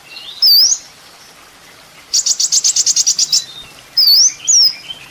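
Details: Sunbird known as kolibri ninja, recorded as a master for training songbirds: high rising whistled slurs, then a fast buzzy trill of about ten notes, then more upslurred whistles.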